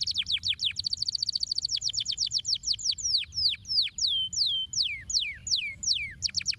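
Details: Canary singing to stimulate other canaries: a rapid high trill of repeated notes gives way to slower, looping downward-sweeping whistles, each note distinct and sharply pitched.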